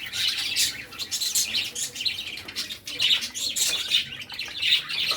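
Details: Several cockatiels chirping while feeding in village life, a busy stream of sharp, high tweets and brief squawks crowding together with almost no pause, loud and continuous.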